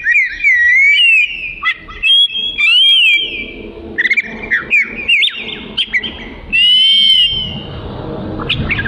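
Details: Oriental magpie-robin song with clear whistled phrases, long held tones and slurred rising and falling notes broken by short pauses, over a low background hum.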